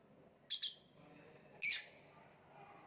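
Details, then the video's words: Lovebird uttering two loud, rasping high chirp bursts about a second apart, the first doubled and the second longer and buzzier, over a quiet hum. "voice of love bird/ kicau mania lovebird gantangan macet"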